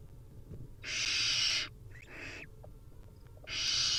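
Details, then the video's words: At feeding time, a wild barn owl nestling gives a long rasping hiss, then a fainter, shorter one from another chick, then a third loud hiss. "Hungry Little Owls: Barn Owl Nestlings' Feeding Time"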